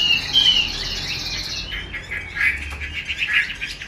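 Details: Caged female Chinese hwamei giving 'xùy' and 'te dụ' calls, used to rouse male birds: a harsh buzzy rasp first, then a run of short scratchy chirps and sharp notes, fairly loud and close.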